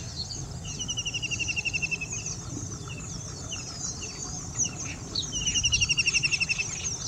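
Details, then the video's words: A White-throated kingfisher gives two fast, shrill, rattling trills of evenly spaced notes, each lasting about a second. Thin, high calls sound above a steady low rumble. "White throated kingfisher calling"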